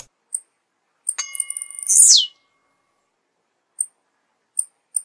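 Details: Blue-black grassquit, known in Brazil as tiziu, giving one high buzzy phrase: a few sharp ticks, then a hissing note that sweeps steeply downward, with scattered isolated ticks before and after in otherwise quiet surroundings.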